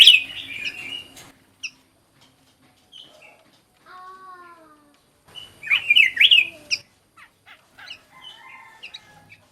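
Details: Black-crested bulbul singing, used as a bird-luring sound. It opens with a loud burst, then a gap with sparse chirps and a descending series of notes. A loud, wavering warbled phrase and softer whistled notes follow.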